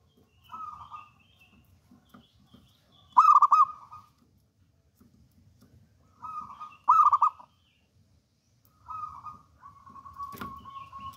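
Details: Local wild zebra dove singing: soft lead-in coos, then loud rapid bubbly phrases ending in a level trill. The phrases repeat every few seconds, and a sharp click sounds near the end.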